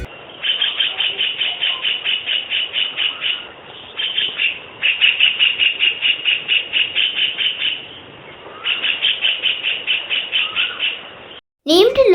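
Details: White-throated (white-breasted) kingfisher in Sri Lanka, where it is common, gives three long, shrill whinnying trills of fast repeated high notes, about three seconds each, then a brief burst of another sound.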